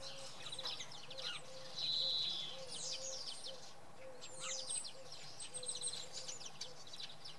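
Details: Common redpoll calling early in the morning at Oksywie: a short buzzy trill near two seconds among scattered high chirps from other birds, with a low steady hum and a faint repeated mid-pitched note underneath.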